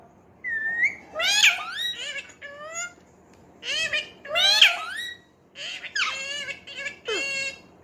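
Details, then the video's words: Talking pet parrot giving squeaky, whistled, speech-like phrases in short bursts, with rising and falling tones and brief pauses between phrases, indoors. "Bolne wala Tota"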